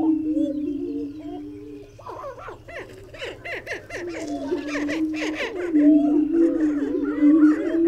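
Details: Greater prairie-chicken: a sustained low hoot under many arching whoops, with a cluster of sharp cackling notes in the middle and a loud drone building toward the end.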